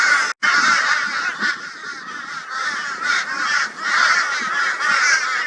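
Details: Crows in Brisbane, Australia, 22 February 2022, tormenting a barn owl as a group. Harsh, raucous calls overlap into a steady wall of sound, about two caws a second, with brief dips in volume.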